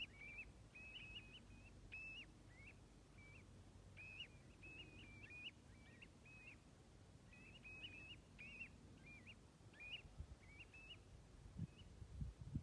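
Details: About 65 common ringed plovers at Stornäset, Alnö, on 7 October 2021 call together in soft, rising whistled 'too-li' notes, overlapping in quick bursts, over a low rumble of wind.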